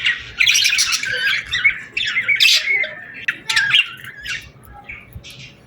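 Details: Summer evening birds chirping at sunset: loud harsh squawks and busy twittering at the start, thinning out to a few sharp chirps and short whistles that fade near the end.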